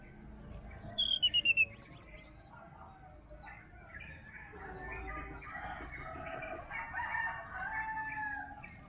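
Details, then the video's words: Wild sirdadu recorded in a Bali forest in the morning, used to prompt a quiet caged bird: clear high whistled notes stepping downward, then a quick wavering trill, followed by a busy chorus of other forest birds. "SUARA ASLI HUTAN SRDC BALI COCOK UNTUK PANCINGAN DI PAGI HARI SRDC MALAS BUNYI"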